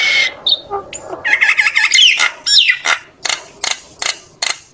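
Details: Common myna singing a flock call: a jumble of gurgling, buzzy notes and one sweeping whistle, then a steady series of short, harsh clicks roughly every third of a second.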